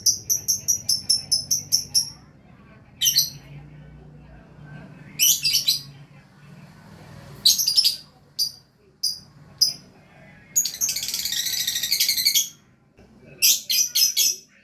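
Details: Lovebird in energetic song: rapid trains of sharp high chirps, bursts of harsh buzzy chatter, one lasting about two seconds, and clusters of squeaky notes, over a faint low hum.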